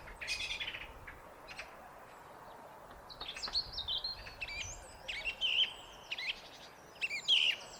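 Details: Song thrush singing on a foggy day near bird feeders: loud, clear phrases of high whistles, sharp notes and quick trills, about thirty bursts a minute with short gaps, over faint background hiss.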